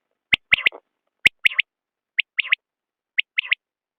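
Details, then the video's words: Common quail giving its clear three-note call, a sharp first note and a rapid double note, repeated about once per second, with a low grating murmur after the first phrase. "بٹیر کی آواز/ quail bird sound"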